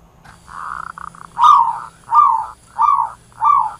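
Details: Zebra dove calling the flock: a soft, purring trill breaks into stuttered pulses, then four louder down-slurred coos come at steady intervals of about two-thirds of a second.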